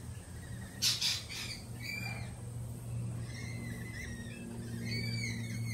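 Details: A jittery lorikeet flock, unsettled by a peregrine falcon attack earlier in the week: one sharp harsh screech, then a stream of rising and falling whistled chatter notes over a constant low hum.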